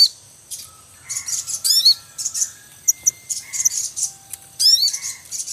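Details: Javan munia nesting in the wild, male calling among chicks: dense overlapping high chirps and buzzy chatter throughout, with steady thin whistled tones also heard in the background.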